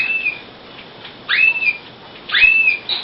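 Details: Male Timbrado canary in a breeding cage with a new hen, which shows no response to him. Clear whistled upslurred notes, each rising then holding steady, given in short phrases about once a second with quiet gaps between.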